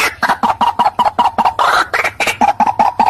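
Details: White-breasted waterhen calling in March 2024: loud, hoarse, clipped notes repeated rapidly about two or three per second in a steady, insistent series, with one rougher burst midway.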